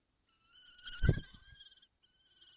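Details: Common kestrel young being fed, recorded 5 June 2025: a drawn-out, steady whining call with bright overtones lasts about a second and a half, then resumes briefly after a short gap, with a low thump near the start.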